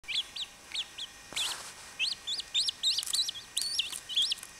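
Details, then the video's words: Baby chachalacas giving thin, high, upslurred peeps, some hooked or doubled, in an irregular run of about fourteen notes over four seconds, with a brief broadband rustle or knock near the start. "CHACHALACAS BEBE"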